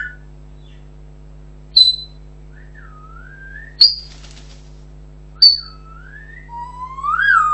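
An African grey parrot gives clear gliding whistles, some rising and some falling, with three sharp high chirps about two seconds apart, over a steady low electrical hum.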